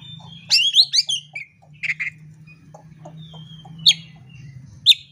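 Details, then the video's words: Oriental magpie-robin (kacer) fighting-bait song: a fast run of high rising chirps, then short buzzy notes, then single sharp chirps spaced about a second apart, over a constant low hum. "pancingan kacer agar tarung"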